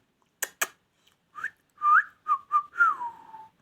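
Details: Ringneck parrot indoors giving clear whistled notes: two sharp clicks, then short rising and wavering whistles, ending in a long slurred descending whistle.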